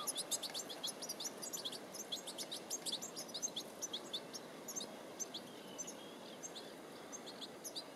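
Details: Adult European goldfinch busy raising a nest on Vlieland in the Netherlands, late August 2020, giving quick bright twittering chirps in busy clusters, denser in the first half, then sparser, against faint ambient hiss.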